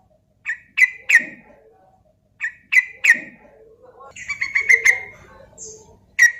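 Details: Javan sooty-headed bulbul singing to spur other birds into song: paired bursts of three bright falling notes, a pause of about a second, then a faster rippling run of notes and a final sharp phrase.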